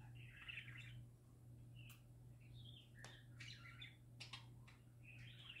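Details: Happy parakeets singing in a string of chattering, warbled bursts with sharp clicks between them, repeated about every second, over a constant low hum.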